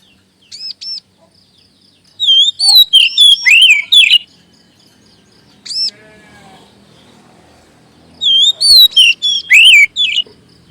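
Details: Kacer, the Oriental magpie-robin, singing a lure song meant to boost other birds' confidence; two dense bursts of varied, swooping whistles separated by short paired high chirps, with a faint low hum behind.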